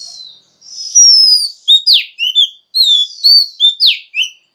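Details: Caged female Oriental magpie-robin singing to stir males into song: long drawn-out high whistles followed by a quick series of sharp, downslurred and upswept chirped notes, clear and loud with no background noise.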